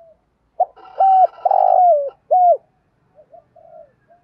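A spotted dove gives soft, hollow cooing notes, a decoy call used to lure rival males.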